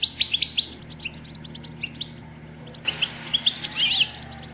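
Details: Batbata of a female European goldfinch, meant to prompt males into song and mating: quick, high, clicking chirps in short runs, a quieter stretch, then a denser burst of bright twittering notes near the end, with a constant low background hum.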